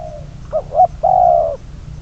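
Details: Spotted dove kept as a decoy bird for trapping, numbered 22, giving a loud low cooing phrase: two short rounded notes followed by a longer, drawn-out coo, with faint background hum.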